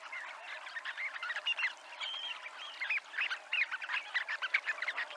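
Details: Dunlin flock on the Ría de Noia at Abruñeiras, producing a lively stream of short buzzy and trilled calls, densely overlapping, with a few clearer rising notes standing out.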